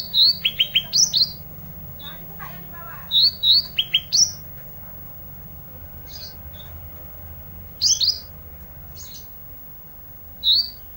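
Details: Olive-backed tailorbird singing actively in isian style: fast bursts of sharp, rising whistled notes in clusters, then scattered single high notes. A faint low hum runs beneath.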